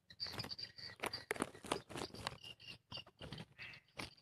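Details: Edible-nest swiftlets responding in daytime to a played lure sound give rapid, dry clicking chirps and thin high twitters in quick bursts, several birds overlapping.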